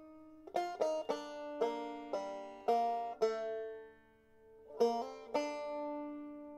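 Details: Plucked banjo music with a series of bright strummed chords and sustained notes.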